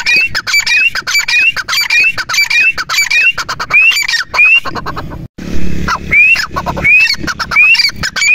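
A partridge gives harsh, grating calls mixed with short rising squeaky notes, repeated rapidly in loud bursts, with a brief break midway.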